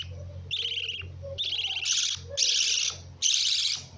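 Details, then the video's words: Lovebirds give loud, shrill, chattering screeches in bursts about once a second, harsh and high-pitched, with a faint low hum beneath. "Love birds"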